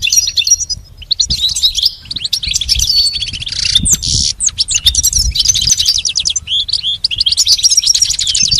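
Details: Goldfinch song played as a tutor recording for training a pet goldfinch to sing; a fast, continuous high twittering of tinkling trills, buzzy notes and liquid chirps, with short whistled slurs near the middle and faint low rumble underneath.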